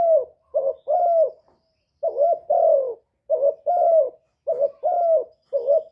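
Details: Lure spotted dove from Cà Mau, Vietnam, calling to attract wild doves: a steady run of throaty coos in repeated two-to-three-note phrases, about one phrase per second, close and clear with a silent background.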